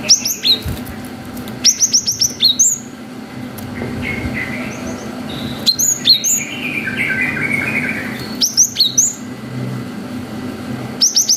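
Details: Cinereous tit in long wucit song, used to provoke young birds: rhythmic bursts of crisp falling whistles about every two seconds, with softer chattering between and a steady low hum.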